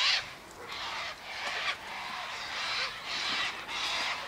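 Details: Flock of sulphur-crested cockatoos feeding on scattered sunflower seeds, wheat and birdseed mix near a gate; softer, overlapping grating squawks run almost continuously, blurred together by distance.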